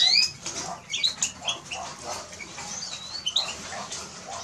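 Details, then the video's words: Eurasian siskin singing a run of high, thin twittering notes with a few short rising slurs. The phrases come in bursts and fade between them. "Eurasian siskin Song -Spinus Spinus -Scatiu"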